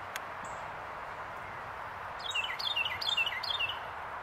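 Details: Wild Carolina wren on a branch in Pennsylvania, January 2024, singing one quick run of four or five repeated phrases, each a rolling, slightly descending cluster of bright notes, after a lone thin high note and steady hiss.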